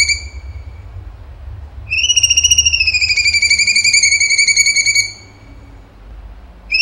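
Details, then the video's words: Singing cucak cungkok, tembakan type: a faint falling whistle, then a loud warbling whistle held about three seconds and sliding slowly lower, with another phrase starting at the end. "CUNGKO GACOR TEMBAKAN HOT SUPER TEJEM"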